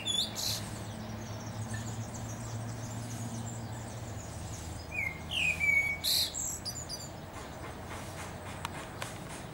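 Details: Common blackbird singing from the top of a tree: a short fluted whistled phrase near the middle, sliding down then level, followed by thin high twittering notes, over steady low outdoor background noise.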